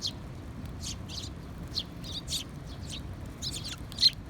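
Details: Sparrow calls from 2021-06-20, a short run of bright, separate chirps roughly every half second, the last one loudest, against faint low background noise.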